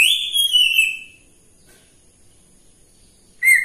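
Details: Pet grey parrot in a morning mood, climbing and hanging, gives a clear rising-then-falling whistle lasting about a second, then silence, then a short sharp whistle at the end.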